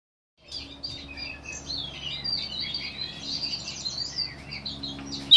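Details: Oriental magpie-robin singing in May 2015: a continuous, rambling run of varied high whistles and chirps, some sliding up and down, with a sharp click at the very end.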